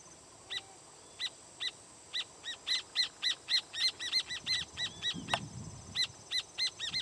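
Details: Alarm calls of rufous horneros over a firewood-gatherer's nest: sparse sharp notes building into a quick, steady series of loud ringing chips, with a brief thump partway through.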